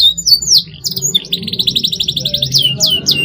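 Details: Canary song meant to get young birds singing: sweeping high whistled notes, a rapid buzzy run of repeated notes about four per second, more downslurred whistles, over a faint low background hum.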